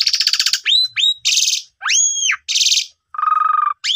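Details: Asian pied starling song used as a lure to prompt a young bird that has stopped singing into full song: loud, varied phrases of buzzy rattling bursts alternating with whistled slurs that rise and fall, then a nasal steady note, with no other sounds.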